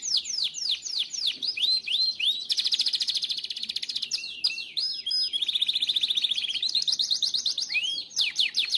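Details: Timbrado canary song used for training canaries: rapid descending chirp trills alternating with fast buzzy rolled tours and sweeping whistled notes, strong and continuous, a few seconds per phrase.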